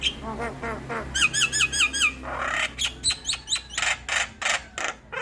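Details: Javan myna vocalising, a lure and tutor recording for mynas. Soft chattering notes give way to a fast string of looping whistles, then a rough swelling burst and loud harsh notes in a regular beat.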